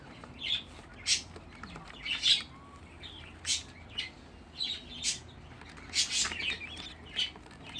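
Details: A brood of sixteen home-bred budgerigar chicks utters scattered short, scratchy chirps, about one burst each second, over a quiet background with faint rustling.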